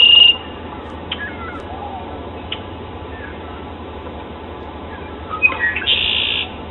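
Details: A male Red-winged Blackbird in spring in Toronto, singing to attract females into his territory, gives a few faint clicking notes, then ends in a harsh, buzzy trill, over a steady background hiss.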